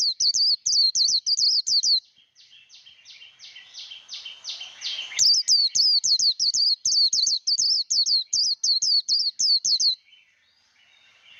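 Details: Japanese white-eye 'líu đấu' contest song, played for voice training of young birds: runs of sharp, high slurred whistles, about three a second, broken by a brief softer stretch before the rapid series resumes.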